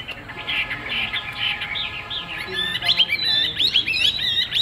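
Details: A caged Chinese hwamei, sold as a strong singer with a fig-leaf-shaped tail, starts with softer warbling and builds to loud, fast whistled phrases full of sharp upward and downward slurs.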